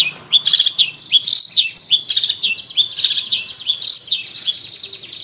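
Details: Long-tailed shrike lure song for a non-singing shrike: a quick, varied jumble of whistles, rising slurs and buzzy notes, mostly continuous, over a faint low hum.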